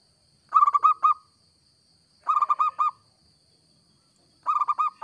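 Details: Local zebra dove singing actively, presented as a lure: three bursts of four to five quick, rounded cooing notes, evenly pitched and strongly accented, about two seconds apart, over a steady high electrical whine.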